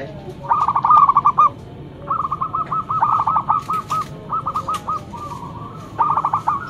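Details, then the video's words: Loud local zebra dove lure bird producing four phrases of rapid whistled cooing notes, some longer with slowing ends, amid light clicking background noise. "Perkutut lokal gacor mental bagus suara NYARING pikat super"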